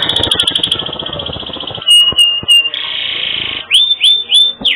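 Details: Canary singing hard on a bird-training track noted for its distinctive melodic variations: a fast ringing trill over faint low clutter, then clipped high notes and long swelling rising whistles.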